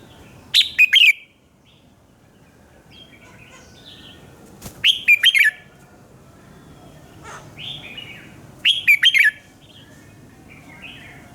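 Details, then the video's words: Red-whiskered bulbul in morning song, meant as a lure for training birds: loud bubbling phrases of quick liquid notes repeated roughly every four seconds, with softer short whistles in between. "luyện giọng chào mào hót sáng - Hót hay nhanh lửa"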